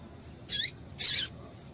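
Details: Female double-collared seedeater (coleiro) call used to stir a male into singing: two short, sharp, high-pitched chirps about half a second apart, over faint low hiss.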